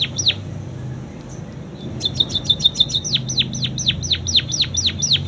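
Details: Munia performing canary-like song: a single falling whistle, a pause, then a rapid high trill flowing into repeated sharp downward-sweeping notes, about four per second.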